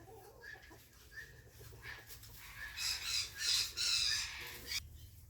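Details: African grey parrot making a few short whistled notes and soft clicks, then a run of loud, harsh hissing bursts that end abruptly.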